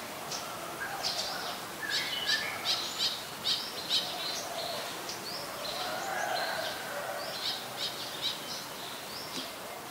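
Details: Olive-backed sunbird (Yellow-bellied sunbird, Cinnyris jugularis) recorded at home on 25 February 2022 in late afternoon; high thin chirps and short twittering notes in quick irregular runs, over steady background hiss and faint lower bird notes.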